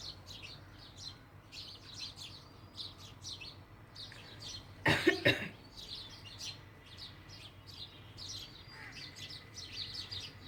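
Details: Repeated bright house sparrow chirps run steadily throughout, broken midway by a loud human cough, with a faint low hum.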